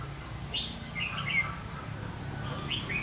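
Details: Red-whiskered bulbul used as a decoy during trapping, singing to provoke a fight; short bright warbled phrases around the middle of the clip, with low rumbling background noise throughout.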